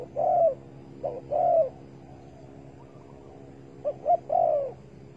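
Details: Spotted dove at a bird trap set with bare bait, 15 August 2020: two cooing phrases, each a short low note or pair of notes, then a longer, slightly falling coo, with a quiet pause between them.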